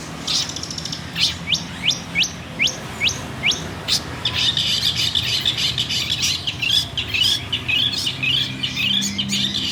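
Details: Caged local long-tailed shrike from Banyuwangi, Indonesia, known for a loud, varied voice and for mimicking other birds: a run of quick rising high notes, then a dense, busy stretch of twittering chatter.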